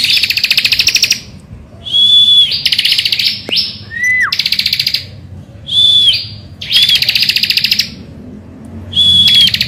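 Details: Bar-winged prinia in vigorous morning song, serving as a lure for other singing birds. Repeated phrases pair fast rasping trills with short high whistles; a lower note curves downward midway, and silent pauses separate the bursts.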